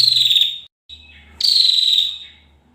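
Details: Female bar-winged prinia: two harsh, buzzy, fast-pulsed trill bursts that drop gently in pitch, separated by a brief pause with a faint thin note, against a quiet low hum.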